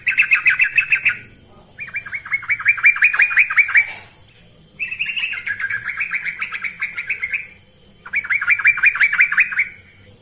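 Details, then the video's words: Yellow-vented bulbul singing persistently as a lure for training birds: four bursts of bubbly, chattering notes around the mid-high range, each lasting about two seconds, separated by short silent gaps. "Ini Baru Pancingan Trucuk Sesungguhnya || Burung TRUCUKAN GACOR"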